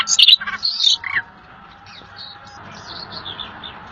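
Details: Little fellow, a rare bird, in lively tutor song for pet birds: a burst of quick, piercing chirps and slurred notes for just over a second, then soft distant high notes.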